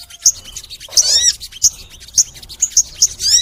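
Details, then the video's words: Crimson sunbird in energetic song for a master recording: piercing high chips spaced irregularly, with quick downward-slurred trills and a brief rapid twitter, all very thin and bright. "MASTERAN SOGON FULL NEMBAK! Suara Sogon Gacor Panjang | Pancingan untuk Sogon Biar Rajin Bunyi"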